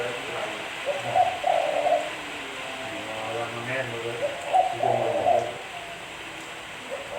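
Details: Spotted dove giving soft, low cooing phrases, two main bursts a few seconds apart with fainter notes between, against steady hiss and a low droning hum.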